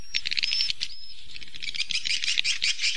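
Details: Roosting call of swiftlets, played as a lure for a three-storey roost: busy, rapid high chirping and twittering, a few thin whistles near the start, over a low background murmur.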